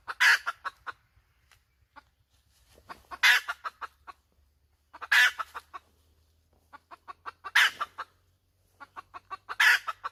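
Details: Cackling hen: five loud, grating squawks, each preceded and followed by rapid staccato clucks, spaced about two to two and a half seconds apart over a faint low hum.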